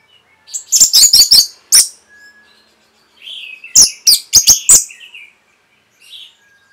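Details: Training song of an orange-headed thrush for caged birds. Two loud bursts of rapid, piercing, high notes are separated by a soft, mellow warble. A faint, quiet phrase follows at the end.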